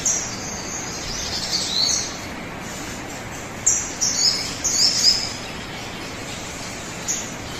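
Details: A sogon bird's high-pitched song, played to make other birds sing sooner; scattered thin squeaks, a burst near two seconds and a cluster of sharp chirps around four to five seconds, over soft steady hiss.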